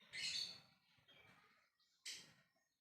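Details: Somewhat quieter ngekek calling from a lovebird summoning others: a rough, shrill screech, a softer, lower chattering phrase, then another sharp harsh burst.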